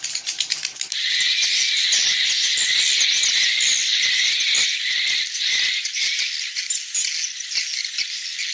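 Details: Edible-nest swiftlet calls used as an evening roosting lure: dense, continuous high twittering chatter with buzzy rattling notes, sustained without pause after a brief stuttering start.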